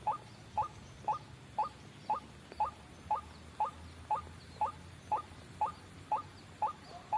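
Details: Lure call of a white-breasted waterhen for trapping: a regular train of quick upward-flicking notes, roughly two per second, over a faint low hum.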